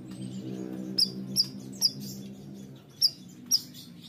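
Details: Bayeman bird calling energetically with crisp, high, slightly descending chirps, three close together, a pause, then two more, over a soft low hum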